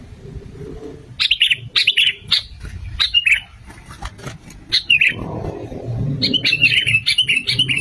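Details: Sooty-headed bulbul lure recording of male and female, meant to attract birds and get them calling: short bright phrases with falling notes, repeated every half second in clusters, with a low rumbling background.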